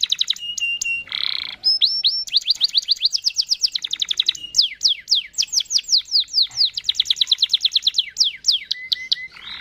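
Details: Canary in full, long rolling song, used to lure other canaries into singing: fast trills of repeated high whistled notes, switching between rapid rattling runs, downslurred sweeps and short steady tones, with a few harsher buzzy bursts.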